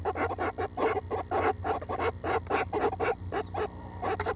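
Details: Seven nestling Northern Flickers near fledging call from the nest on June 12 at 6 am, producing insistent harsh buzzy notes about twice a second with brief gaps, over a low humming background.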